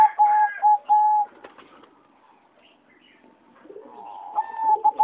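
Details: Competition-bred singing zebra dove in a flight-cage aviary, 26 April 2014: a loud opening of three steady, clear coos, a quieter stretch of soft chatter, then a rising burst of pulsed cooing notes.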